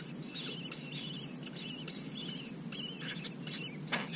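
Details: Shrill, scratchy squeaks in short repeated bursts from four Asian koel chicks growing up in a red-billed blue magpie's nest, with continuous background hiss and a click near the end.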